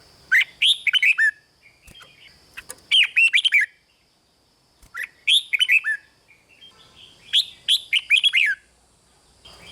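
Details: Red-whiskered bulbul performing rik-style song, broadcast to rouse other birds: four bursts of rapid, bubbly whistled notes separated by brief silences, a steady high hum underneath.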